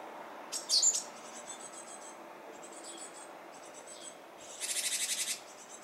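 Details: Japanese tit near fledging time, seeming oddly hesitant: a few short high chirps early on, then a harsh buzzy rattle lasting under a second, over a quiet hiss of background noise.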